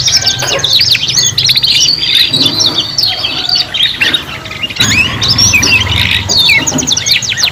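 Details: Young canaries learning to sing, three birds together: bright twittering song of quick trills, long whistled notes and looping chirps, briefly dipping near the middle before resuming strongly, steady low hum beneath.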